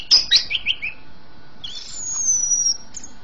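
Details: Javan green magpie singing steadily, aimed at getting young birds singing: a quick descending cascade of trilled notes, followed by a long, thin, very high drawn-out whistle.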